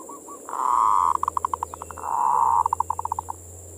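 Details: Zebra dove (local perkutut) manggung song played as bait for passion: two long even coos, each ending in a run of rapid clipped notes that slow slightly, set against a noisy background with a low hum.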